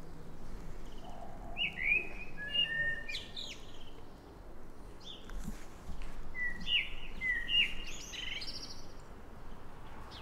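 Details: Morning song of a common blackbird (Turdus merula): two fluty, warbling phrases a few seconds apart, each ending in high squeaky twittering, with faint other bird notes and low background rumble.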